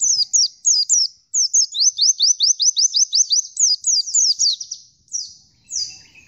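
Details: Oriental white-eye singing non-stop: a dense stream of high, rapid, downward-slurred chirps forming a long trill, ending with a few separate thin notes.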